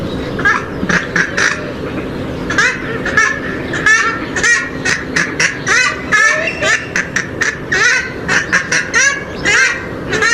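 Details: Swamphen and moorhen calls played for attracting birds: a dense chorus of harsh, honking and squawking notes in rapid overlapping bursts, many callers at once, with a steady low hum underneath.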